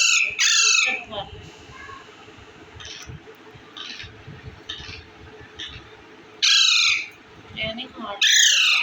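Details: Indian ringneck parakeet eating bread gives bursts of loud, harsh squawks at the start and near the end, with softer chattering calls between and music faintly behind.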